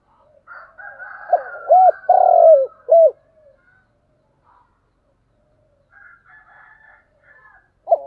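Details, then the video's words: One spotted dove phrase in the thúc gù style, two rising hooks, a burry sustained coo, then a short closing note. Light twittering from other birds comes before and after, and a new coo begins at the end. "tiếng cu gáy/ cu gáy thúc gù"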